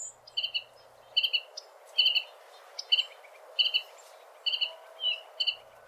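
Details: A female Carolina Wren gives agitated pip calls in quick couplets and triplets, a rattling burst about every second, over faint hiss; such pips are used in high agitation when mobbing predators, facing rival wrens, or nest disturbance.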